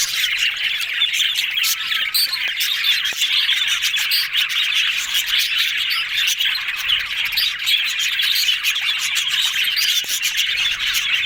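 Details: Several yellow budgerigars chatter in a happy mood, a thick, constant stream of rapid high twitters and short sharp chirps overlapping with no pauses.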